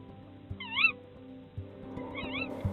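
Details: Female Tawny Owl at an ash-tree nest in North Yorkshire woodland, UK, during egg-laying, gives two high, wavering, mewing calls about a third of a second each, calling her mate to bring food; soft music and low thumps underneath.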